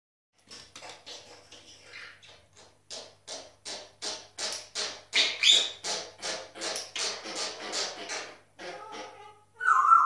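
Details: Four pet grey parrots in full action, making a weird sound: a run of about twenty rough, noisy bursts repeated every half second or so, growing louder toward the middle, ending in a brief higher squeal.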